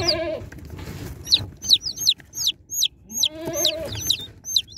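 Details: Unboxed baby chicks repeat shrill, down-slurred peeps about every half second, while a lower, drawn-out harmonic sound rises and falls at the start and again midway.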